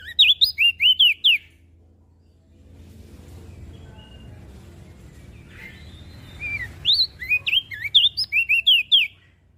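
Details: Mountain leaf warbler singing actively: an opening burst of rapid, high, twisting whistles, a quieter stretch with low hum, then a longer, louder run of about ten zigzag notes.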